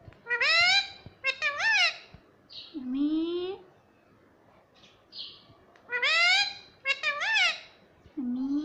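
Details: Pet rose-ringed parakeet talking, said to say "mummy papa": loud, harsh, speech-like phrases with stacked harmonics, bursts of two or three syllables separated by pauses, plus lower drawn-out rising notes.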